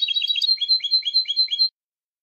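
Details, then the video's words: European goldfinch, copia malaga style, in a recording for teaching young birds to sing. A bright jumbled twitter slows into evenly spaced two-part notes, one high and one lower, repeated about five times before stopping. "تغريد حسون كوبيا مالقا لتلقين الفراخ ©chant copia malaga chardonneret"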